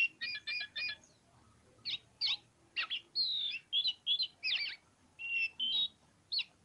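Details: Oriental magpie-robin of the kacer poci type singing in the energetic ngobra style: a quick triple of buzzy chirps, then separated clear whistled notes and short warbled phrases, high and varied, with brief pauses between them.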